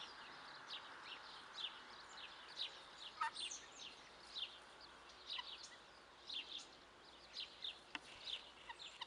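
Young helmeted guineafowl give a steady chorus of thin, high peeping chirps, many birds overlapping at an irregular quick pace over a soft background hiss.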